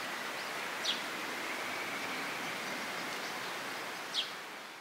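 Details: A grey wagtail (Motacilla cinerea) at Agano, Japan, on 16 May 2018 gives two sharp, high, clipped call notes about three seconds apart over a steady rushing hiss, likely running water.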